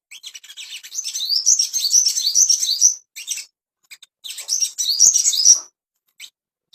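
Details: Master song of the ashy tailorbird meant to bring a bird into breeding condition: fast, high-pitched twittering with repeated rising whistles, a three-second burst, then a shorter second phrase and a final faint note.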